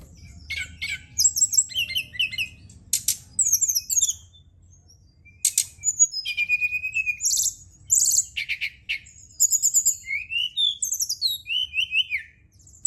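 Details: Brown-chested jungle flycatcher singing at night to stimulate other birds: long, rich sequence of high chattering bursts, rising and falling whistled slurs and quick trills, nearly continuous with brief gaps.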